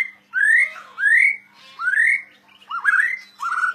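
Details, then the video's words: White-rumped shama (murai batu) giving loud, clear, upward-slurred whistles, about five phrases spaced under a second apart, one with a wavering twist. A faint low hum persists between notes. "murai batu gacor owor owor"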